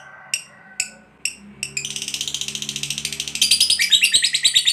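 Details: Fighter lovebird used to draw replies from other lovebirds: a few separate sharp chirps, then a fast buzzy ngekek chatter that speeds up and grows louder, with low sustained musical tones underneath.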